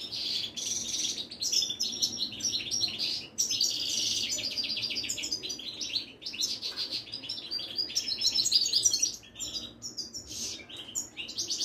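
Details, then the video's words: Moroccan Widani European goldfinch, a caged bird in the Casablanca bird trade, pouring out a long, dense, lively song of tinkling twitters, buzzy trills and rapid chirps with a few short pauses. "طائر المقنين الزين او الحسون الويداني"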